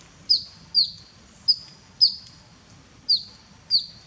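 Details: Bathing grey-headed canary-flycatcher in Cambodia calls six times in about four seconds, thin, very high notes sliding down sharply and trailing off briefly, irregularly spaced, with quiet low background noise.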